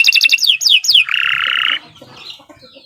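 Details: Canary (Kenari Nusantara) singing a long, continuous song used as a training model for contest birds: rapid repeated descending high notes, then a sustained buzzy trill, fading into faint twitters.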